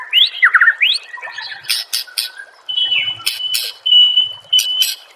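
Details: White-rumped shama master song, used to prompt other shamas to answer and sing: loud varied phrases of rising whistled slurs, sharp clicks and buzzy bursts, with a long level whistle near the end.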